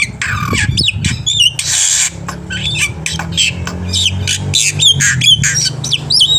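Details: Black-winged myna in full energetic song, varied phrases used as a training recording to stimulate birds to sing. A dense run of harsh squawks, a broad hissing burst, and many short upward-hooked whistles, with a constant low droning hum beneath.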